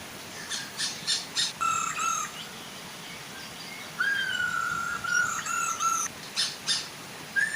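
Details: Chinese hwamei, female and male, singing to coax other hwamei into song; rasping bursts precede drawn-out clear whistles sliding slightly downward, followed by more harsh notes, over a continuous soft waterfall.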